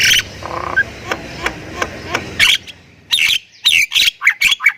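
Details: Thailand-type Javan myna: faint, spaced ticking notes over a soft background hiss, then a loud, chattering burst of harsh squawks and falling whistled phrases.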